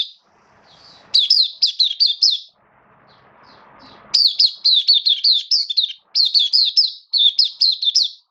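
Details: Oriental white-eye, a cage bird in the hobby, 11 September 2022, slightly dipped form: repeated bursts of five to eight quick, high, down-slurred chirps with short silent breaks.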